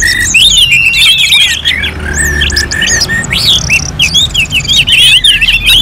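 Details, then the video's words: Continuous high, rich song from an orange-headed thrush in North Bali: fast mimicking-style whistled phrases, looping slurs and sharp chips run together with hardly any gaps. "KICAUAN ANIS MERAH"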